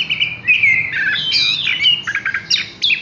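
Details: Horsfield's bush lark singing a fast, varied run of high whistled and buzzy notes, with sliding phrases and short trills that sit high in pitch.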